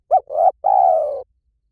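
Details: One spotted dove phrase from a lure recording meant to attract doves quickly: a short bent note, a louder rising coo and a long, evenly held, slightly falling coo with a vibrating texture. Nothing else audible.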